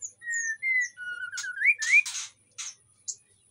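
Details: A white-rumped shama in breeding condition in an aviary in Indonesia, singing to lure other shamas to follow: a rapid run of clear, varied whistles, some rising and sliding, broken by harsh buzzy bursts and sharp high notes.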